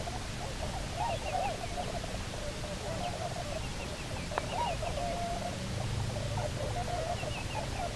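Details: Bermuda petrel couple returned to the Nonsuch Island nest, 29 October 2018. Repeated squeaky, wavering calls run throughout, with a brief sharp click midway and a steady deep rumble beneath.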